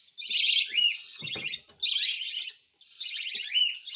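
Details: Hand-feeding of a cockatiel, with insistent begging. Three long, grating, pulsed rasps each end in a faint thin whistle, and soft handling thuds sound in the pause after the first.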